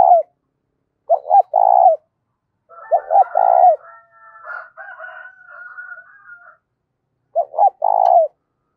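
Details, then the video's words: Spotted dove cooing to excite decoy doves: repeated phrases of two clipped hoots and a rolling purr, interrupted midway by a longer, higher harmonic call from another bird that lasts several seconds. "tiếng cu gáy kích bổi mỗi ngày giọng to rõ ít tạp âm"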